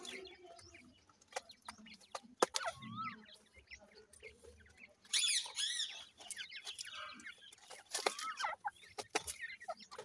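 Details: Feeding grey francolin chicks give brief high peeping notes and wavering, zigzag chirps in short bursts, with frequent sharp clicking sounds between them.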